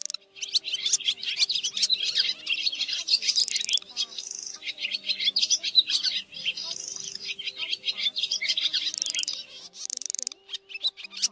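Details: Swiftlet flock-calling lure for trapping, white-bellied swiftlets summoning the flock to roost: long bursts of shrill crowded twittering with rapid clicks, broken by short softer pauses, over a steady faint low hum.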